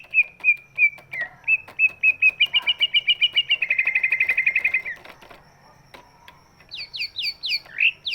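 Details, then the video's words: Greater green leafbird of big build, used as a lure to get silent birds singing; clear whistles speed into a rapid trill of repeated notes, a short gap, then sharp descending sweeps with faint clicks. "cucak ijo body big, suaranya bisa buat pancingan burung yang malas bunyi"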